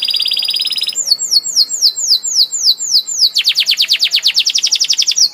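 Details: Canary song opening with a steady high trill, then a run of evenly repeated rising-falling whistles, ending in a fast series of loud down-slurred notes.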